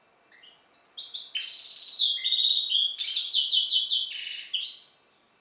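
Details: Goldfinch hybrid after the Balkan subspecies balcanica sings a long, busy phrase of stacked high twitters, brief low whistles and rattling trills that rise and fall without a break, finishing on a thin whistled tone.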